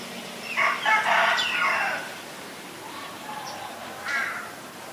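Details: Common myna in Ubon Ratchathani, Thailand, recorded February 24, 2022: a burst of loud, harsh, broadband chattering notes for about two seconds, followed by softer tonal whistled notes and a final rasping phrase.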